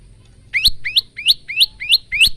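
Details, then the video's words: Singing male bar-winged prinia, phone-recorded as training song for caged birds: six bright, upward-sweeping chirps follow one another evenly in rapid succession, with a faint low hum beneath. "masteran handal burung prenjak lumut"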